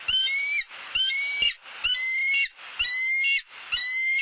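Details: Bald eagle calling at a Southwest Florida nest during turtle delivery and nest-building with grasses and sticks. Piercing, flat whistled notes, each about half a second long, repeat in a regular series roughly once per second.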